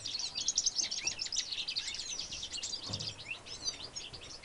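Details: Goldfinch x redpoll hybrid singing in 2013: a continuous, rapid stream of high twittering notes and short buzzy trills, dense throughout, with a brief low thump near the third second.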